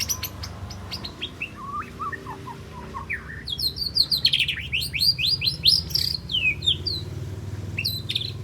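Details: Three-month-old juvenile white-rumped shama practising besetan and sharp tembakan: scattered falling chirps give way to a dense, fast volley of piercing, very high slashing notes, about four per second.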